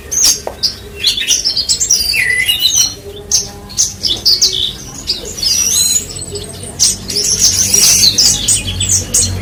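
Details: Horsfield's bushlark of the form called parva, singing persistently as a tutor bird: a rapid, varied jumble of high chirps, sharp whistles and buzzy trills with brief pauses, over low background hum.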